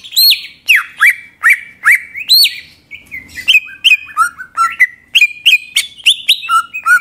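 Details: Greater green leafbird singing to provoke other birds: opens with emphatic downslurred whistles repeated roughly every half second, then shifts into faster, chattering medley of varied chirps and slurred whistles with mimicked-sounding snippets.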